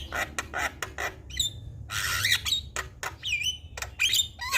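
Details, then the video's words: Javan myna full-content song to set a silent myna singing: harsh grating bursts alternating with squeaky, bending whistles that dip and rise, delivered in an uneven, chattering sequence. "Jalak Kebo Full Isian Bikin Jalak Bisu Buka Suara"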